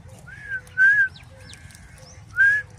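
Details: Pet talking parrot whistling: three clear, slightly arched whistled notes, the middle one longest and loudest, spread over under three seconds, with soft fainter sweeps between them over a low background hum.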